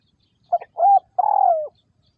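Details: Spotted dove, a captive decoy bird for trapping, Vietnam 2022: one clear three-part coo, a quick stuttered note, a smooth arched coo and a long vibrating note falling in pitch.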